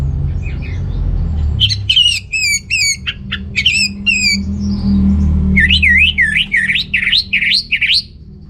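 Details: Orange-headed thrush, kept as a caged songbird in North Bali, singing to stimulate males lacking breeding drive: bursts of clear, varied whistled notes with sharp downward slurs, then a run of rapid looping rising-falling phrases, over low background hum.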